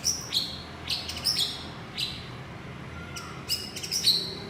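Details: Male white-rumped shama calling its partner with short, sharp, high chirps and clicks in small bursts every second or so. A soft, steady background hiss runs throughout.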